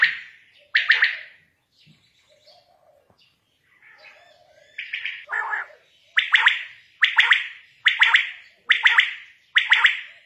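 A quail gives harsh, rasping call notes, building to a steady series of loud buzzy bursts about once a second, with softer twittering between.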